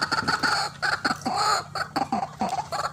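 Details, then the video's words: Lure recording of a white-breasted waterhen for bird trapping. Loud, harsh, nasal notes repeat in quick irregular succession, several per second. "RUAK RUAK GACOR GANAS RAJANYA PIKAT"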